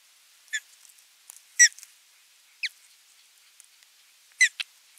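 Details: Osprey at nest 3 on 27 June 2022, as the male brings a fish and watches the feeding: sharp, high whistled chirps, some slurred downward, about five at irregular intervals over five seconds against a quiet background.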